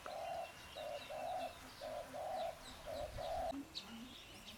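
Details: Mrs. Hume's pheasant, subspecies burmani, captive at a breeding center in Chiang Mai, Thailand: a run of mid-pitched, flat, buzzy calls in short blocks, about one per second, with faint high chirps of other birds behind.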